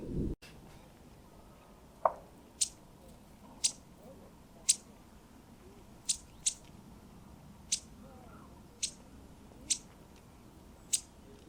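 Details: A Cetti's warbler at Elmley Nature Reserve, Kent, on 12 October gives its alarm call: hard, dry ticking notes, roughly one a second at an uneven pace, over a soft outdoor hiss.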